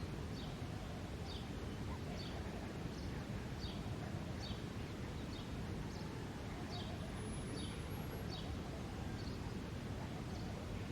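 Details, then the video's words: A male house sparrow chirps constantly at the start of the summer breeding season: bright, clipped chirps, roughly one a second, a dozen in all, thin against a heavy, steady low rumble. "Chirping Sparrow Sounds"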